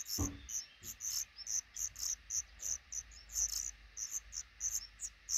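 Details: Black redstart nest with five chicks hatching, in a small nook under a roof above a regularly used front door; rapid, very high, thin chirps repeat several times a second throughout, with one low thump near the start.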